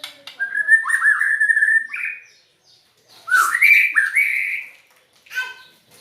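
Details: White-rumped shama, described as singing with a strange voice: sliding whistled phrases, each rising slightly and held about two seconds, separated by a pause, then a shorter buzzy phrase at the end.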